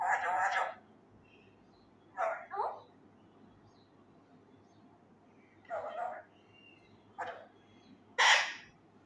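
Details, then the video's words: Male Indian ringneck parakeet, raw and still learning, loudly practising Urdu words and phrases such as "kia howa" and "kia hogaya": five short, hoarse speech-like bursts spaced a second or two apart, the last a sharp screech. "MY Talking Raw Male parrot try to learn words loudly (kia bol rha ho me,kia howa,kia hogaya,Mithu he"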